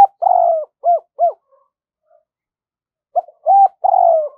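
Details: Decoy spotted dove calling wild doves to its spot with thúc and gáy coos, giọng thổ style: a long falling coo, then two short hollow notes, a gap of nearly two seconds, and the same phrase repeated.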